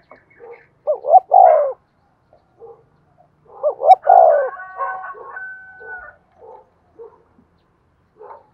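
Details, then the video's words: Spotted dove decoy coo meant to make other doves call: two hooting phrases of short notes and a long falling tone, overlapped by a second bird's clucking and a steady drawn-out tone. "tiếng cu mồi thúc bổi, anh em cứ mở vdeo này là bảo đảm gáy 100%"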